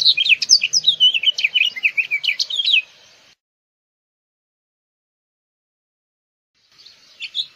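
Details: Warbled song of a house finch, Haemorhous mexicanus: a burst of tumbling twittery notes for about three seconds, then silence, then the next phrase beginning softly.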